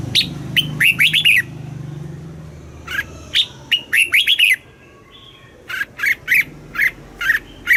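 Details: A red-whiskered bulbul, recorded in Thailand to stimulate caged bulbuls or teach young birds, sings bright, chirpy phrases of quick rising and falling whistled notes in three bursts, with a soft low hum underneath.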